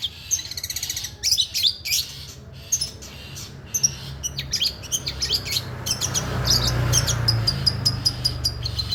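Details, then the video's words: Contest-grade long-tailed shrike imitating stork-billed kingfisher: a fast rattling run of high notes, then loud harsh chirps and a busy chattering sequence, with a low hum rising near the end. "BURUNG PENTET PRESTASI TEMBAKAN TENGKEK BUTO"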